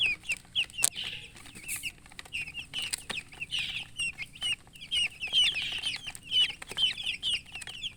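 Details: Newly hatched chicken chicks give loud piercing peeps in clustered bursts, roughly two calls per second, several birds calling together, plus a couple of sharp clicks.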